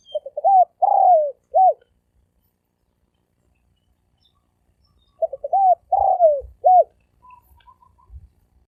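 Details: Spotted dove cooing in the 'thổ sấm đồng' style, a lure call to draw males, females and wild birds: two short bursts of soft, low, hollow coos, each a few quick notes ending in drawn-out downslurred coos, with silence between.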